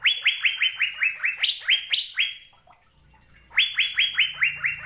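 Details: Asian fairy-bluebird in full song: a rapid string of bright upslurred whistles with two higher, sharper notes inserted, a short pause with a faint low hum, then another quick run of whistles.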